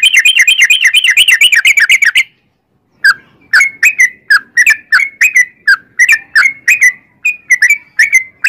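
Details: Yellow-vented bulbul giving a long 'ropel' rapid-fire trill: about two seconds of fast, wavering chattering notes, a short silence, then a steady series of separate slurred whistles roughly every third of a second.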